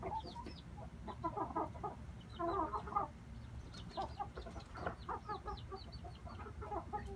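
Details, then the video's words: Red junglefowl, inbred brothers, clucking in quick clustered bursts of short notes that come and go every second or so, against a constant low rumble. "Red jungle fowl"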